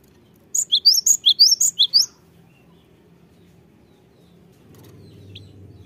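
A cinereous tit sings a quick run of about eight sharp, high two-note phrases over a second and a half. Quiet follows, with a faint low rumble.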